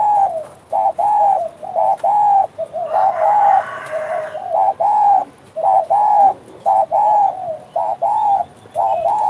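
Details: Persistent spotted dove (derkuku) cooing in the 'bekur' style: a near-continuous run of soft, hollow, low coos in paired and tripled notes with brief gaps, plus a faint higher murmur in the middle.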